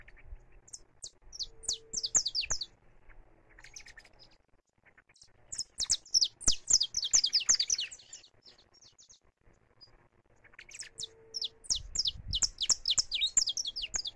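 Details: A saffron finch sings while free, recorded live: three separate bursts of rapid, high, piercing chirps, each lasting a couple of seconds, with quieter pauses between them.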